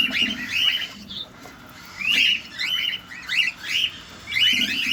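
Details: Cockatiels in a cage at feeding time, recorded near: grouped bursts of chattering rising chirps separated by short quiet gaps, with faint low murmurs underneath.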